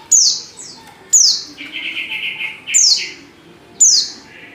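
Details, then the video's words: Female white-eye in heat calling to a male: sharp high notes sliding steeply downward, about one a second, with a longer buzzy lower note between them. "Burung | Pleci | betina | Birahi Memanggil jantan"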